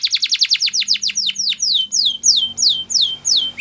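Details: Song of a Spanish Timbrado canary for training: a run of fast downslurred notes that slows into longer, evenly spaced descending sweeps, with a low steady hum beneath.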